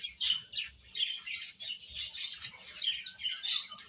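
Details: Young chickens eating and at play, giving clear piercing peeps, some rising and falling, about one a second over a steady background of more chirps.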